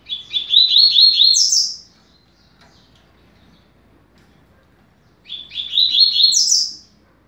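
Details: Double-collared seedeater singing a fast-beaked song meant for teaching young birds: two matching quick phrases of rapid high trilled notes, each ending in a brighter upward flourish, separated by about three seconds of quiet.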